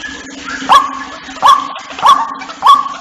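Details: White-breasted waterhen call used to lure waterhens so they gather: four short, abrupt, mid-pitched croaking notes, roughly one every 0.6 seconds, over a steady low hum.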